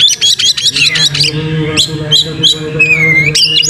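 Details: Oriental magpie-robin singing as a lure to spur tail-spreading: quick repeated squeaky notes, isolated sharp chips and a drawn-out level whistle, over a continuous low humming drone.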